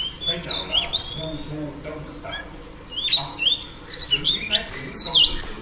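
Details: Singing female Oriental Magpie Robin, used to stimulate males, pours out bright whistled phrases with sharp slurred notes, a short lull midway, then a louder, busier burst of high whistles.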